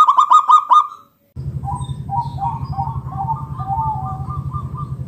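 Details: Local wild zebra dove calling to prompt other doves to sing: a quick burst of clipped hollow notes, a pause, then softer wavering cooing phrases over a steady low hum.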